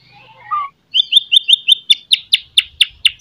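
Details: White-rumped shama singing in the morning, meant to stir shamas lacking fighting spirit. A soft low warble gives way to a steady series of about ten sharp, bright, downslurred chips, evenly spaced and accelerating slightly.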